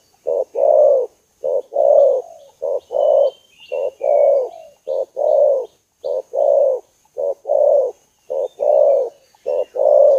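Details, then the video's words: Spotted dove lure call used to attract birds: a steady series of soft, low, hollow coos, delivered in short groups about once a second, with a faint high whine and a few thin chirps in the background. "Suara Pikat Tekukur DERKUKU"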